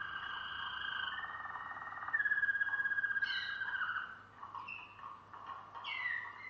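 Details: Malinois Waterslager canary singing: sustained low watery tones and rolling trills that shift pitch, with a brief louder pulsed trill near the middle and short rising notes toward the end.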